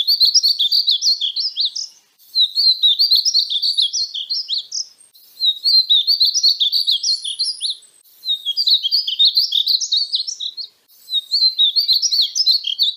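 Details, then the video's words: Steady singing from a painted bunting: five similar high, dense warbling phrases of rapid chirped notes, each about two seconds long, with short pauses between them. "Conheça o belo canto do pássaro estamenha pintada (Passerina ciris)"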